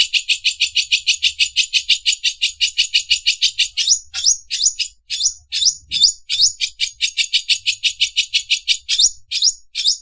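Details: Greater green leafbird training song in the mesin obras, sewing-machine, style: a long quick train of high buzzy pulses broken by downward-swooping whistled notes, then the rattle resumes.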